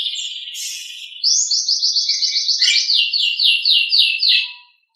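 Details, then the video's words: Nias hill myna in a master recording for training other birds: a buzzy high phrase, then a fast run of rising, slurred notes, about four per second, fading near the end. Clean background. "Masteran Suara Jalak Nias"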